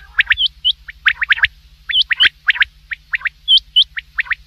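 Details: Common quail calling at night, a rapid series of short, sharp chirps rising to high pitch, mixed with hooked whistled notes, coming in uneven groups of two to four with brief gaps, with a faint low hum beneath.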